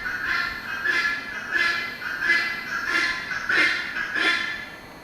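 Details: A neighbour's helmeted guineafowl, hidden in scrub, gives very loud, harsh, grating cackles, repeated about every two-thirds of a second in a steady run of six.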